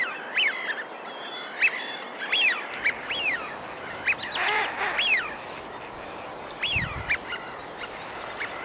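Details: Several Eurasian wigeon in winter on the Thames foreshore marshes at Dartford and Crayford, Kent/London boundary, give clear whistled 'wheeoo' calls that rise then fall, repeated every second or so over a steady background hiss.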